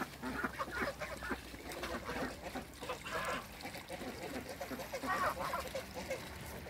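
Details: Toulouse geese playing in water in a backyard, giving a busy stream of overlapping nasal honks and chatter, with splashing water throughout.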